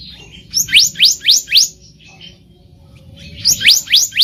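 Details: Wild black-naped monarch, recorded for luring birds: a run of four quick upslurred whistles, then a pause and three more rising notes, clear and bright over a quiet background.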